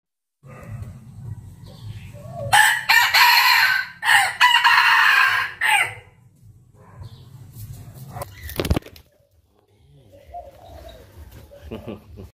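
A red junglefowl gives one loud, harsh crow lasting about three seconds, broken into several drawn-out phrases, over a low rumbling background with a sharp knock afterward.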